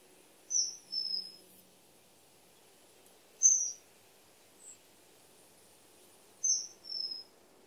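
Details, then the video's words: Common kingfisher calling: very high, piercing whistled notes, mostly in slightly falling pairs, repeated about every three seconds with quiet gaps between, plus one faint single note. "The song of the Kingfisher"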